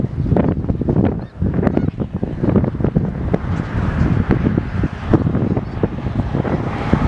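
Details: Dense flock of snow geese in Dare County, North Carolina, USA, on January 23, 2017, giving a constant overlapping clamor of short, nasal honks and yelps, with heavy wind rumble underneath.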